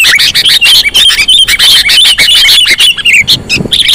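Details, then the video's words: Sooty-headed bulbul lure call: quick bursts of bright twittering and whistled chirps repeated in short phrases, ending in softer scattered notes. "Suara pikat kutilang sangat sensitif"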